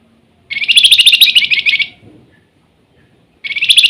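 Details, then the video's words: Flamboyan in full song with nyiul whistling: a fast, rattling high trill lasts about one and a half seconds, then a second trill starts after a short pause. "Flamboyan gacor rajin bunyi nyiul"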